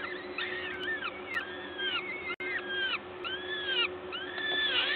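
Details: At a peregrine falcon nest at Gdańsk LOTOS, Poland, feeding time on 14 May 2022, 11:07: repeated arched, whining calls, roughly one per second, some doubled, against a steady mechanical hum.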